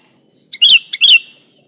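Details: Sooty-headed bulbul singing loudly for luring: two quick, bright chirp notes a third of a second apart, each opened by a tiny pickup tick, with a thin hiss in the background.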